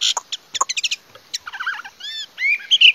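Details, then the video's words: Short burst of Chinese hwamei song: quick sharp chips and clicks, then warbled low notes and a few bright, upward-sliding whistles. "Singing nightingale. amazing bird song. Garrulax canorus"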